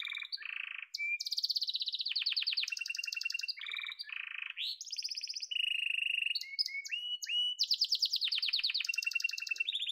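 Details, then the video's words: A domestic yellow canary delivers continuous song, switching among rapid rolling trills, low clucking rattles and high bright tours of repeated notes, with barely any pauses. "Muhteşem Kanarya Sesi: Sarı Kanarya'nın Efsanevi Ötüşü"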